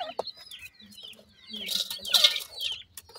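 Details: Wild francolin chicks receiving termites as food give scattered high peeps, then a burst of hissing rustle that swells and fades.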